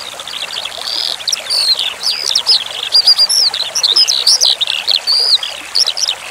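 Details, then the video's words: Skylark tutoring song over flowing water: quiet at first, then rapid high chirps, rising and falling whistles and short trilled bursts, repeated in quick phrases. "Masteran Suara Branjangan Sky Lark"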